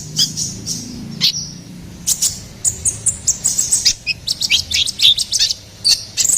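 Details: Ruby-cheeked sunbird song used as a master and lure recording for songbirds: rapid high-pitched chirps and clicky notes in quick bursts, with sharp vertical ticks and brief thin whistles.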